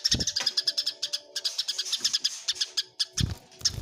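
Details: Eurasian tree sparrows in a fight give clusters of sharp, ringing chirps, mostly regular and fast, mixed with low bumping thuds toward the end.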